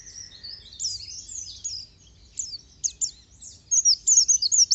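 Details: Pleci, the oriental white-eye, with high scratchy twittering phrases that start soft and uneven, then end in a crisp burst of rapid piercing notes.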